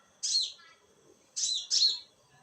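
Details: Konin calling at night: three bright, high chirping notes, the first single and the last two close together, each sliding downward, over a quiet background.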